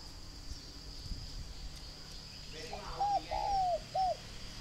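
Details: After nearly three seconds of quiet background, a spotted dove at a farm in Ba Vì, Hanoi, Vietnam, gives one three-part phrase: a short coo, a longer downward-curving croon and a short final coo. A thin steady hum persists.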